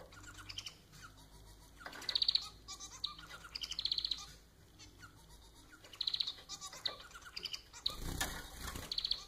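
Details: Pet society finch, domesticated Bengalese form, singing indoors: repeated phrases of rapid buzzy rattling notes with high clicking trills, recurring roughly every two seconds, with a broad noisy burst near the end.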